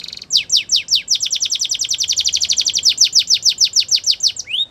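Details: For training, a Spanish Timbrado canary delivers a brief buzz, then a long steady chain of sharp falling notes, several per second, over soft background hiss.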